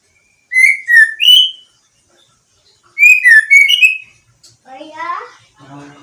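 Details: White-rumped shama, a caged five-month-old bird of champion lineage, singing actively after its moult; loud whistled phrases with slurred notes, two bursts of three notes, then lower buzzy, rattling notes.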